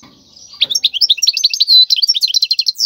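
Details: Goldfinch song for training young goldfinches, wild bird: after a faint start, a lively stream of high twittering, slurred and chirping notes fills the rest.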